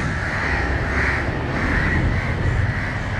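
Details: Crows in Matara, Sri Lanka, mobbing a dog that nears a fallen, struggling crow. Hoarse, drawn-out caws come about once a second against continuous low traffic rumble.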